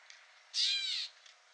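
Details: A single harsh, nasal mew from a Gray Catbird at Newman Lake, Washington, USA, about half a second long, buzzy and slightly down-slurred, against faint background hiss.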